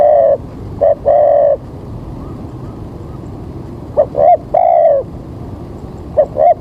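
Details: Spotted dove calling as a lure for bird trapping, early morning with rain about to fall: soft low coos in three-note phrases, two short notes then a long drawn coo, repeated twice with quiet gaps between.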